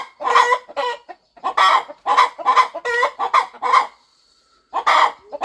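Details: Farm mother hen getting ready to hatch her eggs, clucking softly on her nest. Rounded, throaty clucks come in an irregular series, then a short quiet gap before two more.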